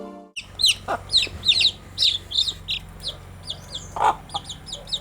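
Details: Newly kept baby chicks going about their day, giving a quick run of high, thin, downward-sliding peeps, several each second, with a few lower broad clucking notes mixed in.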